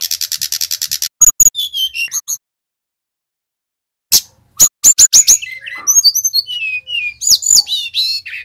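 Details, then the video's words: Bali brown-chested jungle flycatcher lure song to prompt singing: a rapid series of high ticking notes, falling whistles, a silent gap, then sharp clicks and a varied run of slurred whistled phrases. "SUARA SRDC BALI GACOR | Pancingan Burung Tledekan / Sulingan / Sikatan Rimba Dada Coklat Agar Bunyi"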